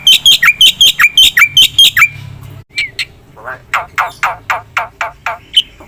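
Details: Black-winged myna singing hard with a full filler song: a regular train of loud chirps with falling tails, then a break and a series of harsher, buzzy chattering notes.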